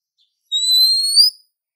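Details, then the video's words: A single long, pure whistle from a female Oriental magpie-robin calling a male. The note rises slowly over nearly a second and ends with a brief lift. "Kacer Betina Memanggil Jantan"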